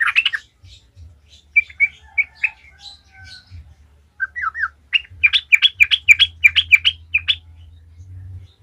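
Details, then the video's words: {'caption': "Yellow-vented bulbul (trucukan), an energetic 'gacor ngalas' singer used as a lure to get other bulbuls singing. Scattered bubbly, warbling notes speed up into a fast rhythmic burst of liquid chirps, with a low hum beneath."} "Trucukan gacor ngalas ahlinya bikin trucukan lain kepanasan langsung jadi gacor ngalas"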